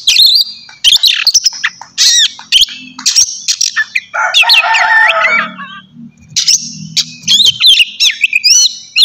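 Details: Oriental magpie-robin (kacer) singing in loud ngeplong style, a morning lure to excite other magpie-robins into song. Bright chips and looping whistles break into a harsh, scratchy, chattering passage midway, then return to clear whistled notes.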